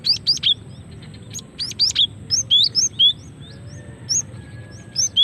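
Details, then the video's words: Cinereous tit female calls for luring and prompting song: clear high whistled notes sliding up and down, a few short buzzy bursts at the start, then spaced single whistles, over a low hum. "Suara asli gelatik betina untuk pikat dan pancingan"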